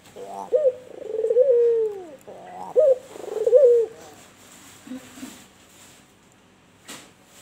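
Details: Persistent kuwor bekur cooing from a white albino turtle dove: a slurred falling coo, then a short stuttered note and another gliding coo, after which the bird fades into a few faint low notes and a click.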